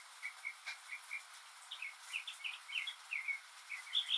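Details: Northern mockingbird singing by itself in the rain, imitating other birds and sounds: first a series of evenly spaced short chirps, then a faster tumble of varied, higher twittering notes.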